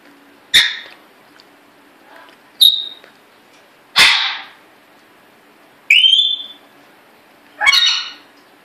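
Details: Pet African grey parrot kept in a cage, making funny sounds as its owner chats: five loud calls mixing short piercing whistles, one falling into a steady tone, with rasping squawks, roughly every one and a half seconds.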